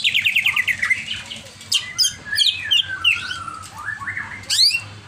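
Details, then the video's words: An over-agitated greater green leafbird sings a rapid descending series of sharp notes, then mixed buzzy chips, slurred whistles and rising sweeps, with a steady low hum in the background. "CIRI CUCAK IJO OVER EMOSI"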